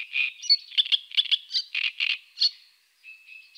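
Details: Eurasian coot giving a series of short, sharp, clipped notes in an uneven rhythm, some paired, about a dozen in under three seconds, followed by a faint drawn-out thin tone.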